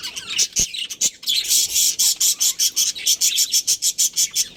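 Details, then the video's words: Budgerigars from a breeding pair in a colony give fast, evenly repeated harsh high chirps, roughly four per second after a scattered opening, bright and buzzy throughout. "Cute Budgies Chirping Sounds"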